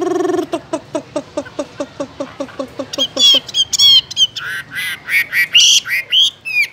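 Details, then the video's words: Caged Chinese hwamei: a steady series of low, short repeated notes about three per second, then a burst of higher, sharp whistled and buzzy song phrases. "Làm thế nào để nuôi được chú họa mi hót như này"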